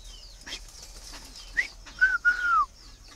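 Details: Male Chinese francolin kept tame in captivity, waiting for a female, giving one call: a brief rising note, then two long clear whistles, the second sloping down, over a light background hiss.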